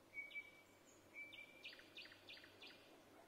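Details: Song of a nightingale in Vinnytsia, Ukraine, on 25 May 2024: two thin, level, high whistles followed by a fast run of repeated sharp, buzzy chirps, with a low steady hum beneath.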